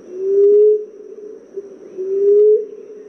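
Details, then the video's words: Two low moaning coos from a common emerald dove, a call played to attract the birds for trapping; each note swells gently upward, holds, then trails off quietly. "Emerald dove sound/Huni para lumapit"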